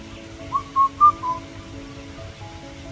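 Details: An Indian cuckoo (bou kotha kao bird) sings its four-note whistled phrase, the third note highest and the last dropping, over a faint low hum.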